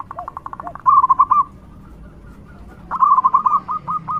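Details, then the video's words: Local zebra dove giving its loud song, used to draw out other doves: soft cooing notes, then two bursts of rapid, pulsing staccato coos, each trailing off into spaced single notes. "Perkutut lokal gacor suara lantang super ampuh untuk pancingan"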